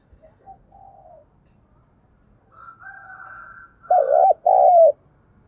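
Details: Spotted dove decoy cooing for training freshly caught doves: faint soft coos and a thin higher tone at first, then a loud, low double coo near the end.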